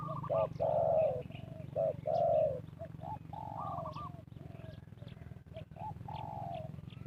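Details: Spotted dove cooing to lure wild birds in trapping. Two strong phrases of a clipped note plus a long rough coo, then fainter answering coos from other doves, with a steady low hum beneath.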